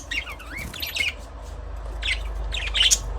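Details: Budgies chirping: short bright chirps and warbled squeaky notes, a cluster near the start, another around two seconds, then a final burst, with low background hum.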